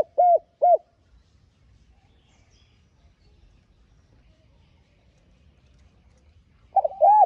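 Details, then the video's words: Spotted dove decoy call in calling and urging style, played to stimulate caged doves to coo: two short, low hollow coos at the start, a long quiet gap with faint rumble, then a pair of closely joined coos at the end. "Tiếng Cu Gáy Mồi hay Giọng Hạp BổI [GỌI,THÚC]"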